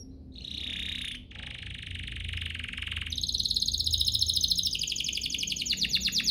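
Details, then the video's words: Canary song used to provoke rival singing: a buzzy humming roll held for a few seconds, then a faster, louder rattling trill that keeps pulsing to the end. "Pancingan ini EFEKTIF BANGET, burung kenari lain langsung terpancing untuk GACOR"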